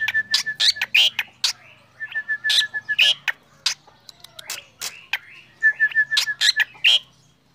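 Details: Morning song of a black drongo: rapid bursts of harsh, scratchy chirps alternating with short trains of repeated thin whistles, almost continuous over several seconds, with a soft low hum behind.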